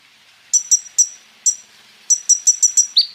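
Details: Sunbird called kolibri ninja, recorded as a lure to make other sunbirds sing. Thin, high doubled notes sound singly, then in a quick run of six, ending with a lower slurred note over light background hiss.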